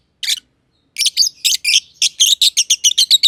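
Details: A green personata and a green pied personata lovebird chirping in a simple aviary. One lone chirp, then a quickening series of harsh chirps at nearly four a second.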